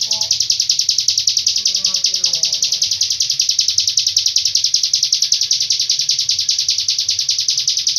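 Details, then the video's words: Hill prinia, ciblek gunung, singing the long-breath Cililin style; an unbroken, even, high-pitched rapid trill lasting the whole eight seconds, with brief faint lower twitters at the start. "ciblek gunung isian cililin nafas panjang"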